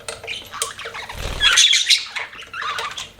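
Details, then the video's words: A short burst of budgie chirping, squeaky notes and warbles, with a dull low thud partway through. "BUDGIES CHIRPING SOUND"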